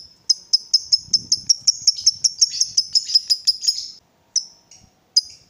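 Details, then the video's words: Lovebird, provoked and excited, giving a long ngekek chatter: rapid series of sharp, high, shrill notes repeated about three times a second for four seconds, then a few isolated notes after a short pause. "Lovebird diam langsung Nyambar, Emosi Naik Gacor Ngetik Lanjut Ngekek"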